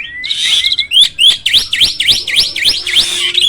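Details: A hybrid jalak starling, a caged master bird used to train other birds, sings a rapid run of looping up-and-down whistled notes, about four each second, over a thin steady whistle.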